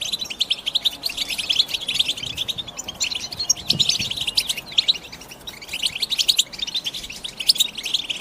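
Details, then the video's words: European goldfinch delivering its batbata twittering song, with fast tinkling chirps and buzzy notes in continuous bursts and slight dips in loudness between phrases. "بتبتة الحسون"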